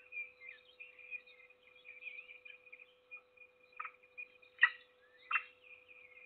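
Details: Peregrine falcon feeding its only chick at a nest in Trzebież forest district, Poland, recorded 7 May 2022: thin, wavering whining notes run continuously, broken by three louder harsh rasping bursts near the end.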